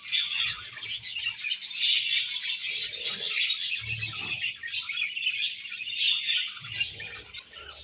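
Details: Budgerigars exchanging food, their high, buzzy chatter running continuously with quick repeated chirps and warbled notes, and occasional low knocks in the background.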